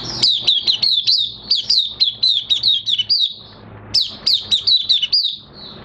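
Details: Oriental white-eye in minor moult singing on 3 June 2022: rapid, rhythmic high chirps, each dropping in pitch, in two lively runs split by a brief pause.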